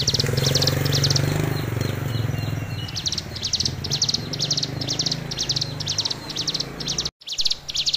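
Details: Tame, steady-tempered hill prinia singing persistently: a long series of sharp, high, clipped notes repeated about twice per second at an even pace, over a constant low rumbling background noise, with a brief dropout near the end.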